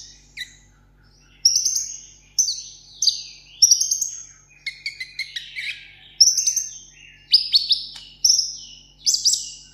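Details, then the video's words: A sunbird kept as a tabletop bird sings solo in competition style, giving quick, high, thin bursts of sharp twittering notes and trills, about one phrase a second, over a faint low hum. "hút mật 7 màu hót đấu solo"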